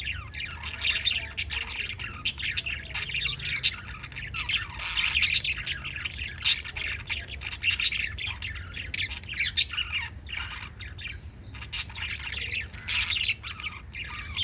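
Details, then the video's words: Steady chatter from pet lovebirds. Rapid high-pitched chirps and squeaks run throughout, with scattered sharper, louder notes punctuating the busy flock-like twittering. "LOVE BIRDS CHIRPING sounds"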